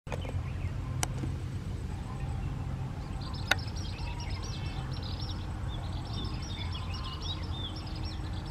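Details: Asian palm swifts (Cypsiurus balasiensis) courting and mating among palm fronds where they nest, many birds flying in; thin, high twittering trills from about midway, over a steady low rumble of wind or distant traffic and a few sharp clicks.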